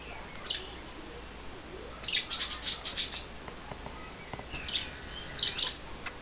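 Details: Lovebirds, two of them, a little upset after their wings were clipped, making brief high squeaky chirps and a short chattering run amid background hiss.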